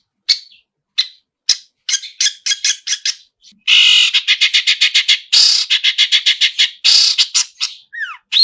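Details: Long-tailed shrike in full 'isian' song, delivered energetically: sparse sharp notes build into a long run of harsh, rapidly repeated rasping bursts, about four per second, ending with a slurred whistle.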